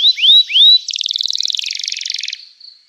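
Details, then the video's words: Canary singing emotionally to provoke a reply from other canaries: three loud rising whistled slurs, then a buzzy rapid trill that slows and fades. "Kicauan Kenari Gacor Bikin Nyaut kenari lain || Gacor Cuit Cuit emosi, terapi ampuh kenari macet"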